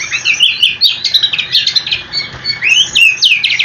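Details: Rolling, full song from an oriental magpie-robin, played to get other magpie-robins answering: harsh buzzy bursts mixed with clear rising whistles and fast stuttering notes, nearly continuous.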